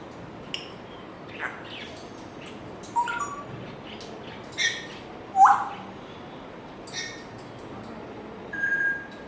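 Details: African grey parrot at home producing a string of varied sounds: clicks, short chirps, a loud rising whistle mid-way and a level whistle near the end, spaced by brief pauses.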